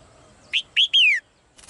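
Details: Female bird in a cage sings one phrase of three whistles, short, then rising, then a long descending note, followed by a brief rustle.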